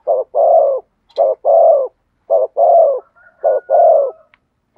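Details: Rhythmic spotted dove song in the Vietnamese thổ sấm style: short-long coo pairs roughly every second, deep and mellow. A faint, level, high whine briefly overlaps the later coos.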